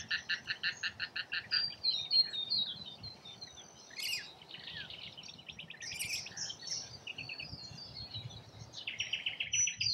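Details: Rainbow lorikeets feeding in Australia: strongly pulsed, grating chatter opens, followed by sharp shrieks and mixed squeaky calls from several birds, then buzzy chatter returns.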